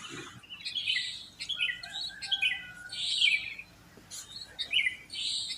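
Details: Sooty-headed bulbuls singing just after dawn in a residential complex where many live, used as a lure for a lazy bird: bright chirpy phrases overlapping in a dense chorus, about 39 bursts a minute.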